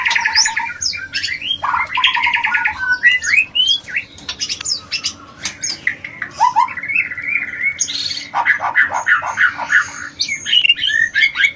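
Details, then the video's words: White-rumped shama mating song meant to raise breeding urge: a fast, varied stream of whistles, buzzy rattles and sharp chips, delivered at roughly three notes per second with a harsher churring stretch near the end. "Terapi menaikan birahi murai batu"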